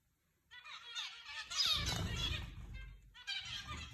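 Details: Flock of zebra finches kept in an aviary, calling together: dense, nasal, harmonic chatter of overlapping short calls that rises and falls, pausing briefly near the end, over a steady low rumble of background noise.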